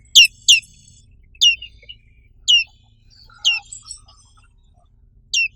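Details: Black-capped white-eye, endemic to Indonesia, giving high, steeply falling chirps, two quick ones, then singles about a second apart, with a few softer twitters between them.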